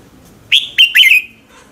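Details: Morning song of a red-whiskered bulbul, used as a lure: a single crisp phrase of three whistled notes, the final one a longer descending slur.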